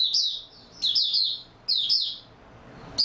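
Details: Short burst of white-eye opening song in stable form, 28 February 2022: three high, quick twittering phrases spaced under a second apart, with a fourth starting as it ends.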